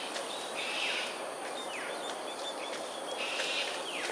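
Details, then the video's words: Cockatoos performing an aerial display, Sungei Ulu Pandan, Singapore, 7.43 am, 13 January 2022. Two rough screeches about two and a half seconds apart, each trailed by a brief descending squeal, over loud background insect buzzing. "Cockatoos "Aerial Display""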